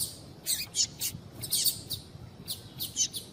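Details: Double-collared seedeater female calls used to warm up a male and spur his tui tui song: bright, high, clipped chirps repeated in loose clusters, some doubled, across just over three seconds over a quiet hiss.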